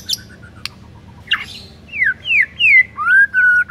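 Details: White-rumped shama master song meant to coax silent birds into singing: a few sharp clicks, then a run of loud descending and rising whistles ending in one long steady whistled note.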